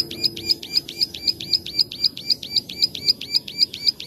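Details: Plain prinia in a master recording for training birds, giving a fast, even series of sharp, high clicking notes, about four each second, around sixteen in a row, over a quiet low hum.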